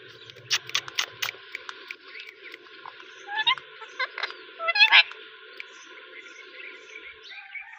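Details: Pet rose-ringed parakeet chirping in scattered sharp bursts, with rapid clicky notes early on and a louder harsh screech near the middle, fading into a steady hum.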